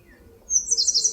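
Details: Eastern crowned warbler singing in a forest at Palbongsan, Seosan: after a pause, a thin high note leads into a rapid, pulsing train of very high chirps, cut off mid-phrase.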